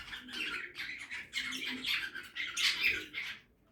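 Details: Budgies feeding in a backyard aviary produce an unbroken stream of raspy, warbling chatter with squeaky peaks, fading out at the end.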